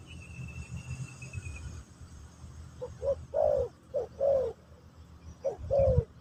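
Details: Spotted dove in the pesom or kacuk song style, recorded while teaching a new bird: after a quiet start with a faint high whistle, three low two-part coos follow, each a brief note then a drawn-out falling one.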